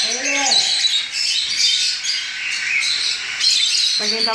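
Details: Young cockatiels just out of the nest, hand-fed formula three times a day, give steady harsh rasping begging calls throughout, with a man talking briefly at the start and end.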